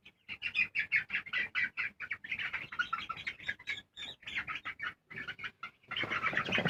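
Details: Colour broiler chickens give a string of short, high, repeated peeps, several per second, sometimes rising, before a harsh, noisy scuffling burst at the end.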